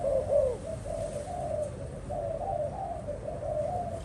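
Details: Spotted dove calling, a slightly louder opening coo followed by a string of soft, wavering low coos through four seconds, over continuous low hum.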